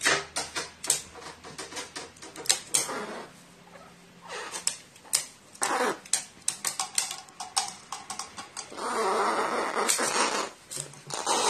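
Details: Indoor pet crow, affectionate until stroked wrongly and then furious, recorded 14 April 2018: rapid clicking and tapping bursts, then a long hoarse, grating call of nearly two seconds, with handling noises throughout.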